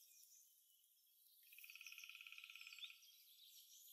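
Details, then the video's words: A songbird in a spring forest, where birds sing to win females, gives a fast, dry trill of about twenty high pulses in under two seconds over a soft forest hiss. "Waldgezwitscher im Frühling"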